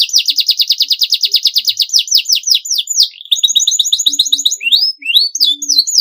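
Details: Canary in full, clean, long song: fast rolling trill of sharp notes, then lower looping phrases and upward-sweeping whistles, continuous and energetic.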